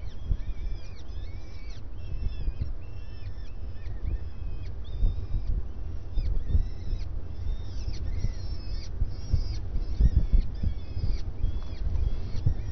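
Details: Starling at breakfast time gives a steady run of short, squeaky whistles and chattering notes, several each second, over a loud low rumble of wind or traffic.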